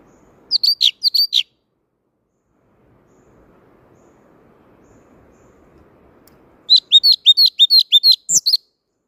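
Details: Blue-throated flycatcher giving wild-type song: two bursts of high, sweet, quickly repeated whistled notes, sharply falling, separated by several seconds of near silence with faint background rustle.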